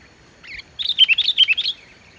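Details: Sooty-headed bulbul in lively song, with no borrowed songs, as a lure for lazy bulbuls to sing. A short liquid chatter of rapid, rising and falling whistled notes lasts about a second.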